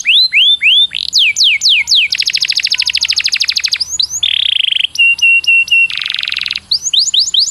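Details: Canary master song used for training canaries: loud, varied phrases of rising whistled sweeps, fast buzzy trills, a steady mid-pitched whistle and repeated sharp notes, each phrase a second or less.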